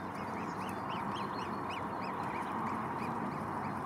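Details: Dozens of Arctic geese with their chicks among millions of white flowers. Quick series of short, arched, rise-and-fall calls, about a dozen in four seconds, over a constant loud rushing background noise.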